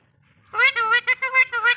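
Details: Talking Alexandrine parakeet, a pet bird kept indoors, quarrelling in Bengali: a loud, harmonic, voice-like burst of several rapid syllables, shrill and emphatic, in a small room.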